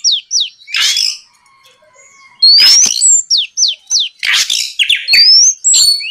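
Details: Oriental magpie-robin in loud song, used at night to draw rival magpie-robins into a reply: quick downslurred chirps, rising whistles and raspy bursts, coming in lively phrases after a short pause.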